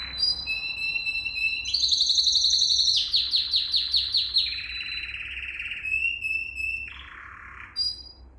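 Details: Canary singing as a training model for young canaries, a varied tour of trilled phrases: a high rattle, a run of slurred descending notes, a low buzzy roll, a thin whistle and a harsh burst.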